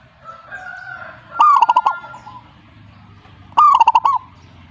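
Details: Zebra dove giving two quick bursts of staccato cooing, each a rising note followed by several short, evenly spaced pulses, with a faint steady tone and low rumble before the first burst.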